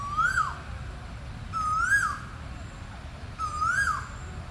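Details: Asian koel, the burung tuwu, repeating a strong rising whistle three times at steady intervals of about two seconds, each note sliding up to a peak before falling away; faint low background noise.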